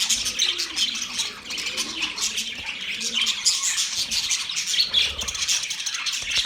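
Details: Budgerigars chirp and squawk nonstop in a dense, buzzy warble, with sharp squeaks breaking through a constant murmur of calls.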